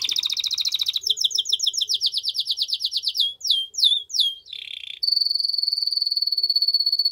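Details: Forceful canary song for stimulating a female to mate, moving from a rapid rolling trill through quick slurred chirps and a low buzzy burst to a long even high-pitched trill.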